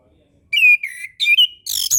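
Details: Orange-headed thrush song used to tutor young birds and those with low breeding drive: a rapid string of clear whistles, some warbled, ending in harsher high notes.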